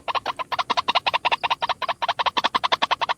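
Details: Fast rhythmic croaking notes of a single White-breasted waterhen, used as a lure call, packed closely at about three per second with rich harsh overtones.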